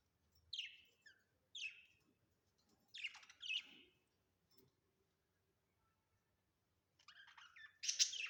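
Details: Pet budgerigars kept at home; short bursts of harsh, buzzy chirps in scattered groups with quiet gaps, ending in a louder scratchy flurry.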